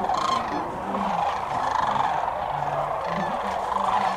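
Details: Hundreds of thousands of sandhill cranes gathered at dusk on the Platte River near Alda, Nebraska, during spring migration form a dense, unbroken chorus of rolling rattled calls overlapping into a steady din.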